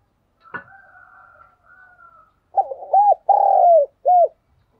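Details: Decoy spotted dove cooing to set off other doves that stay quiet in the rain: after a faint thin whistled tone, a quick series of four deep coos, short, short, long and short, repeated rapidly.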